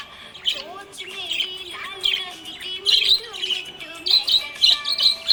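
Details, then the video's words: Happy budgie chirping: soft warbling chatter of short high squeaks and twittering notes, with bursts of scratchy chirps growing louder toward the end. "Happy budgie chirping sound"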